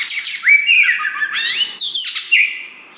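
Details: Kacer wulung, a black Oriental magpie-robin, sings powerfully while beginning tail-pushing, its song used to excite other birds. A buzzy rising phrase leads into sliding whistles, then a quick harsh burst and a final whistle.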